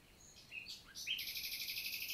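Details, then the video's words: Common nightingale singing on a summer morning, 11 June 2023, in countryside forest of the Célé valley, Lot, southern France: a few separate high whistles, then a fast, even run of loud, chunky repeated notes over a faint steady high hum. "NIGHTINGALE MORNING SONG"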